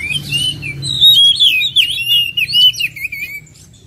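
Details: Oriental magpie-robin: a flowing run of clear, loud whistled notes swooping up and down, mixed with rapid high twitters, fading at the end.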